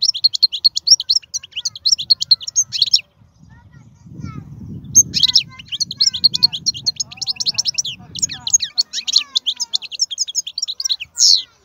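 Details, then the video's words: Wild-type European goldfinch, a strong male singer, delivering fast twittering song of rapid high notes in two bursts separated by a pause, with a low rumbling background sound in the middle section. "تغريد الحسون خلوي ممتاز.هذا مقنين هو الأكثر قوة بين الطيور"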